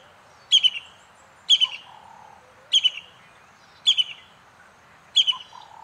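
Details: Brown-hooded Kingfisher calling: loud, sharp notes with a buzzy trailing tail, repeated five times at roughly one-second intervals over quiet background.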